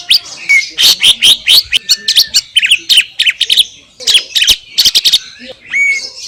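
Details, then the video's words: Wild greater green leafbird in Indonesia giving a loud, varied song of quick chirps, sweeps and clipped whistles in bursts, with short pauses and a final upslurred whistle. "SUARA MASTERAN CUCAK IJO JERNIH"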